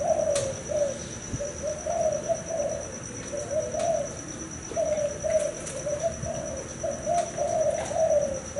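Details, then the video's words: Repeated rolling coos from a male spotted dove, thai hau 4 style and father of a few broods, come in near-continuous phrases over a persistent high-pitched whine and faint taps. "Cu gáy thái hậu 4,đã làm cha vài lứa,gáy cái nguyên xóm"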